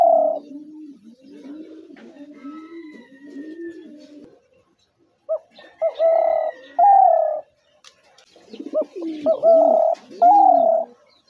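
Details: Spotted dove cooing: a low, soft, wavering coo sequence for four seconds, silence, then two groups of loud, mellow, steady coos, each ending in a longer held note.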